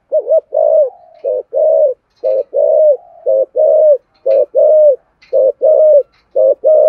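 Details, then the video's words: Spotted dove in full calling bout, used to rouse decoy birds: rapid phrases of short, hollow mid-pitched coos in pairs and triples, each slightly falling, repeating about once per second with faint clicks between. "Thổ Sấm thúc gù gáy gọi dùng kích bổi cực đỉnh"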